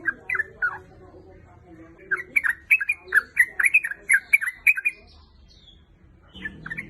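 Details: Calling female sooty-headed bulbul summoning a male: a few slurred notes, a short pause, then a fast burst of bright chattering phrases that stops abruptly, followed by near silence and a couple of final notes.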